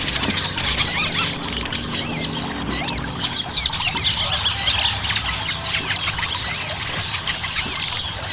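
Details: Ruby-cheeked sunbird chattering song played as a lure so birds start singing: rapid stream of shrill squeaks and curved whistled notes, busy and overlapping, with a faint low hum beneath during the opening seconds.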